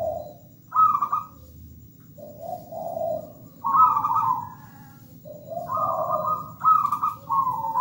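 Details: Local wild zebra dove singing steadily, phrases of a low purring coo stepping up into higher trilled, vibrating notes, repeated about every three seconds with short pauses between phrases over a quiet low background hum.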